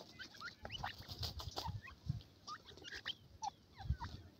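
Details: Francolin chicks in a forest, apparently scared, give a scatter of short, high peeping chirps, some rising and some falling, every fraction of a second, over low thumps and rustling.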